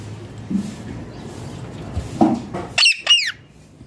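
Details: Indian ringneck parrot with a quiet stretch of faint knocks and rustles, then two sharp, harsh screeches that drop steeply in pitch near the end.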